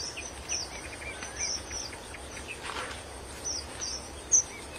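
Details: Wild red avadavats give thin, high chirps, scattered every second or so, with one sharper note near the end, over a steady insect hum and outdoor hiss.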